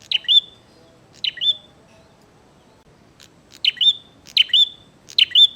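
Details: Bar-winged prinia in fighting mood, delivering crisp chirps, a buzzy note plus a high whistle, first two spaced apart, then a faster run of three, over low background hiss.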